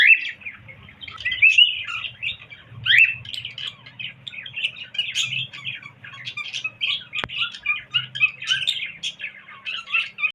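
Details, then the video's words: Whistling pet cockatiel: long run of quick chirps and rising whistled slurs, roughly forty per minute, over a faint low rumble, with one sharp click near the end. "Cocktail Parrot Whistling"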